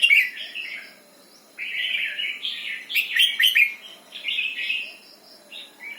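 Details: A red-whiskered bulbul sings its doubled 'berl' phrases: a short opening note, a pause, then a long flowing warble with sharp bright accents near the middle and trailing softer notes.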